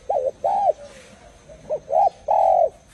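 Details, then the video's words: Spotted dove cooing in soft hollow notes, two short hoots, a quiet pause with a faint low murmur, then a brief note and a longer sustained coo closing the phrase. "លលកធ្នាក់សម្លេងចែ - VIP Dove Sounds"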